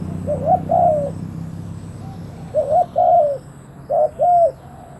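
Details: Spotted dove used as a decoy to lure wild doves. It gives low mellow coos in three short phrases about every 1.7 seconds, each a quick double note followed by a longer drawn-out coo, over a steady low hum.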